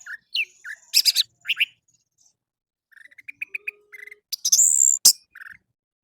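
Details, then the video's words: Orange-headed thrush song used in the morning as a lure to make captive birds sing along: varied bursts of whistled and scratchy notes with clusters of short rapid chirps, a long buzzy high note, and pauses between phrases. "PANCINGAN ANIS MERAH DI PAGI HARI AMPUH BIKIN IKUT BUNYI!!!"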